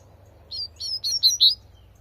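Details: Double-collared seedeater in the wild giving a short tui tui song: five quick high-pitched upslurred notes, growing louder toward the end, over a quiet low background hum.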